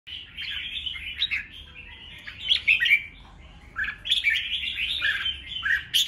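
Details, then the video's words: Red-whiskered bulbul singing a fighting song used to provoke rival birds into singing back; bright, chattering whistled phrases in short bursts with brief pauses and a faint steady hum behind. "Kích chào mào hót đấu hay nhất,bổi nghe là hót theo,khiến bổi ức chế căng lửa"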